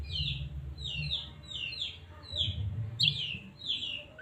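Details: White-rumped shama from Medan, a bait song meant to stir a caged shama into singing; a bright, sharply falling whistled note repeats about every two-thirds of a second, six times, over a steady low rumbling background.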